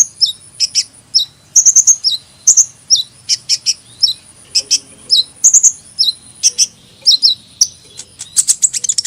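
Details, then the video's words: Hummingbird giving thin, very high chips and short squeaky slurs in quick clusters, with sharp ticks spaced about every half second and a dense twittering burst at the end. "Kicauan Burung Kolibri"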